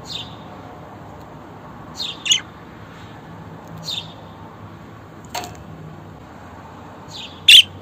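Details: Budgerigar sounds played for pet budgies: short high chirps and squeaky notes spaced a second or more apart, with occasional louder sharp clicks, over a quiet background hum.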